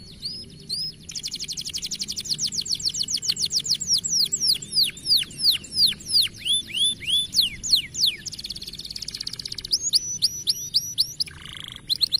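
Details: Kenari paud canary in full, active song: a short whistled phrase, then long rolls of quick downslurred notes repeated about three per second, a buzzy high stretch and a few clear upslurred whistles, with low background murmur.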